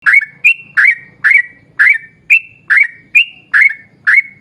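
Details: Yellow-vented bulbul giving a long rapid-fire song, used as a lure to get other bulbuls singing: about ten short bubbly notes, each ending in a flat whistled tail, coming at a steady, quick pace. A faint low hum runs underneath.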